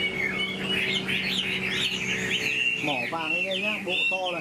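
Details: Tame caged Chinese hwamei singing: rapid warbled, slurred whistles, then a series of descending, bouncing notes toward the end, with a man talking quietly underneath.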